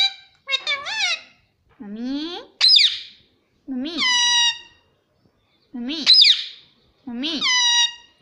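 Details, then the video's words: Pet talking parrot repeating mummy: loud, harmonic two-syllable words, each dipping then rising, given in pairs with a second or so of silence between phrases. "Mummy Papa Bolne Wala Tota || Talking Parrot"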